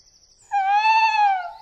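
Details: Male tawny owl in winter, hooting to court a female and mark his territory; one long, steady, mid-pitched hoot lasting about a second, then fades; no other sounds.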